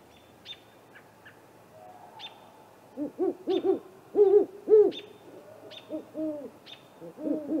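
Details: Great horned owls, a pair checking out a great gray owl snag nest at 8:50 pm, April 21, on a live nest camera; a cluster of loud arched hoots rises mid-way, then softer doubled notes, with faint high ticks repeating throughout.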